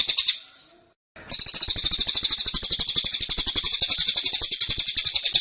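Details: A short high note fades out, then after a brief silence a caged cililin launches a fast, dense tembakan of piercing, closely packed chirps.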